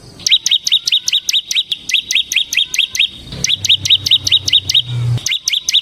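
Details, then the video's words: Semi-type bar-winged prinia in vigorous ngebren song, used as a lure and tutor for other birds: a fast, steady run of sharp, upturned, high chips, about two per second. A low hum appears midway, and there is a brief gap near the end. "suara burung CIBLEK SEMI GACOR Ngebren"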